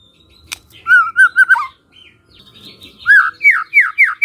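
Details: White-rumped shama lure song for other shamas to answer: a few low whistled notes, soft twittering, then a series of loud downslurred whistles repeated about four times a second.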